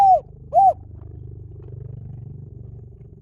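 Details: Spotted dove, Liw Tan style song used to train doves to sing back. Two short, clear coos half a second apart open the clip, followed by a steady low hum with no further calls.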